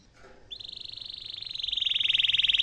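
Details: Canary song used as a master for young canaries: after a soft start, a single fast, even trill at steady high pitch, growing steadily louder over two seconds.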